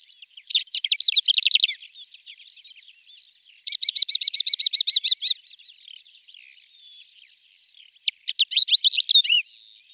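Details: Flight song of a male greater short-toed lark, including mimicry: three loud phrases of high twitters, the middle one a fast even trill of about fifteen repeated notes, separated by soft thin warbling.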